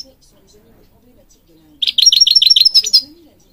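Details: Singing European goldfinch used in bird training: after a quiet start, a fast run of about ten rolling notes with a thin high whistle above, ending in a slightly varied flourish.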